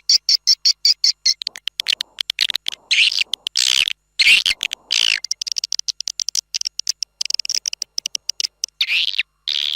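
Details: Flock-calling swiftlet sound from Malaysia or Indonesia for swiftlet keepers. It opens with evenly spaced high chirps, then shifts to harsher buzzy bursts and fast twittering, and ends with rasping notes.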